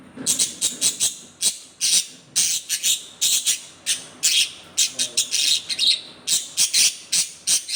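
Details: Agitated budgerigar letting out harsh, raspy bursts, some clustered in quick doubles and triples, others spaced about a second apart, keeping up an irregular scolding rhythm.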